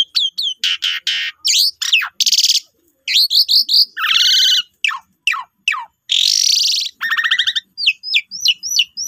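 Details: Asian pied starling lure song to set other starlings singing: clipped squeaky notes, harsh buzzy rasps, a chattering buzz, and a closing run of repeated rising chirps.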